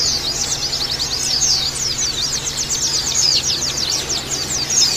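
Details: Lure and therapy recording of Oriental white-eye song meant to make birds sing open-beaked: a fast, continuous stream of sharp high chirps and downslurred trills from several voices, with a faint low hum beneath.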